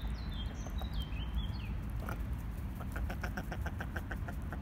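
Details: Common merganser (goosander) ducklings with their mother, shortly after hatching, give thin, high peeps, some rising or falling, then a quick run of repeated chips, over a steady low rumble.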